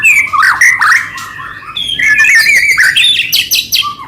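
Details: Energetic white-rumped shama song meant to provoke other shamas into singing: dense run of warbled whistles and sweeping slurs mixed with scratchy, rattling notes, delivered without a break.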